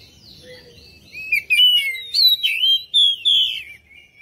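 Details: Song of an Oriental magpie-robin used to lure other birds into singing: soft start, then a run of loud, sweet whistled notes, swooping and trilled, closing on a level drawn-out whistle.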